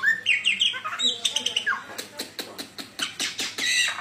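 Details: Black-winged starling singing: a sequence of looping whistled notes rising and falling, followed by a rapid series of dry clicking ticks, with faint talk nearby.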